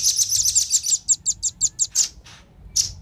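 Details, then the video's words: Velvet-fronted nuthatch calls, male and female, used as a lure for wild birds: a fast run of sharp, very high chipping notes that slows into separate spaced chips, with a short pause before a final chip. "suara pikat burung rambatan jantan dan betina"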